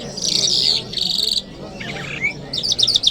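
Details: Lark song in Kabul on a Friday morning: two buzzy, sustained high trills, a short pause, a lower rough phrase with a rising whistle, then quick bright chirps to close.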